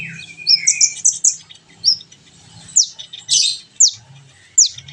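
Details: Sunbird known as kolibri ninja, from a recording for training birds to sing and chatter: a short high trill, then separate sharp descending chirps spaced about half a second apart over a soft low rumble.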